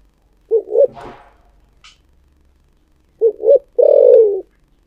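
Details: Cooing spotted dove in the 'thổ sấm' voice: a double coo with a brief noisy rustle after it, then a second full phrase of two short notes and a long descending coo.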